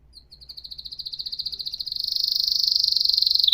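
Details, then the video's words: A single continuous rolling canary trill, high and pulsing, growing steadily louder and faster over the phrase. "تغريد كناري احترافي"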